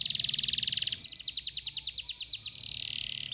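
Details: Canary singing continuously to lure other canaries into singing, with long rolling phrases: a fast buzzy trill, then a series of slower, evenly spaced downward-slurred notes, then another rapid buzzy roll, with steady low background hum.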